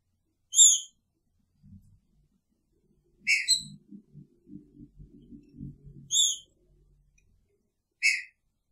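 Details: Picharro-style singing from a caged Green-winged Saltator housed with its female: loud whistled notes about every two to three seconds over a low, soft rustling and knocking in the background.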